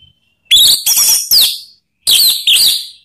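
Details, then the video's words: Orange-headed thrush call used as a lure to set other birds singing: loud, high whistled notes in two groups, three slurred phrases then two, with falling and wavering tones. "Suara Panggilan ANIS MERAH biar ikut berkicau Ngeplong"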